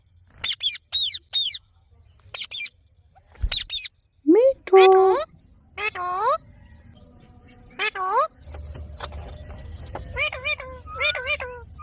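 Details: A pet green ringneck parrot talks in short, speech-like phrases of rich harmonic syllables, some rising and some falling, separated by pauses, with a low hum in the background during the second half.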